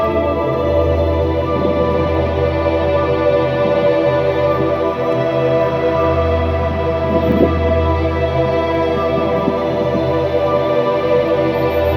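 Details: Soft, sustained ambient music with a low droning bass, and no animal sounds.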